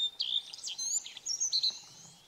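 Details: A singing male common redstart at Kunfehértó, Hungary, on 15 April 2018 gives a short, high phrase: a clear opening whistle, then quick, varied twittering notes, against a quiet background.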